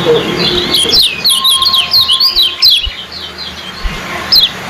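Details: Yellow kecial competition bird, judged on speed and song length, giving a quick burst of sharp, very high zipping chirps, then fading to sparse notes.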